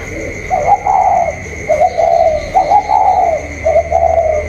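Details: Spotted dove, a caged bird cooing in a contest with a wild bird, recorded 27 October 2022: low mellow rolling coos in phrases of about one second, repeated with short gaps, over a steady electronic hum.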